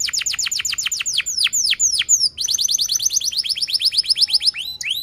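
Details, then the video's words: Lively canary song with cuit-cuit notes: a fast trill of descending chirps slows into longer falling sweeps, then breaks into a rapid rolling trill of short repeated notes. "kenari gacor panjang Cuit Cuit EMOSI"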